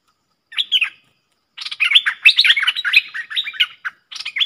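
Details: Streak-eared bulbuls, a pair in fierce song duel recorded 30/10/2021 for luring: a short opening phrase, a pause, then a long excited stream of chattering, slurred notes.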